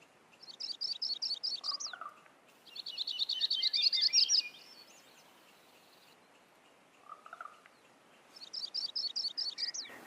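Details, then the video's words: Crowned warbler sings high, rapid trills of repeated short notes in bursts about two seconds long, separated by pauses, with soft lower chirps between phrases over steady background hiss. "La Reinita Coronada"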